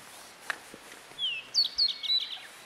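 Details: Tledekan song used as training material for cage birds: faint ticks, then a smooth rising whistle followed by a quick run of bright, high, clipped notes stepping downward.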